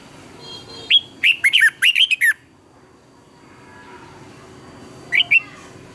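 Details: Fired-up morning song of a red-whiskered bulbul, used to train birds to sing. A lead whistle opens a fast chain of warbled, up-and-down notes. A brief two-note phrase follows a few seconds later.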